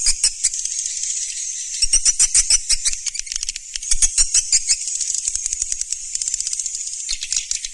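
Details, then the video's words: Swiftlets in a lure recording: steady high twittering with rapid series of sharp clicking ticks running through most of the stretch. "SUARA BURUNG WALET MASTER ALL TERBARU"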